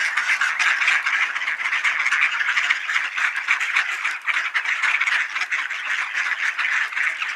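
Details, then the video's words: Ducks gathering for supper at Sainte-Adèle, Quebec, Canada, on a partly cloudy 20°C afternoon, 9 November 2020, 3:27 PM: a dense, unbroken chorus of overlapping quacks and chatter, with no clear pauses. "Ducks Gather for Supper"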